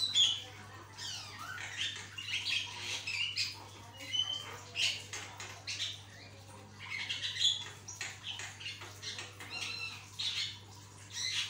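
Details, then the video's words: Javan myna singing energetically: dense bursts of rasping, squawky notes with brief sharp whistles mixed in, coming in irregular clusters, with a constant low hum underneath. "jalak kebo gacornya bikin jalak lain jadi ikutan gacor"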